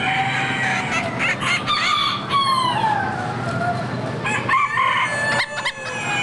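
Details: Many chickens of all kinds at the Lorain County Fair: several roosters crow in overlapping, drawn-out cries while hens cluck and cackle, forming a dense, noisy barn chorus.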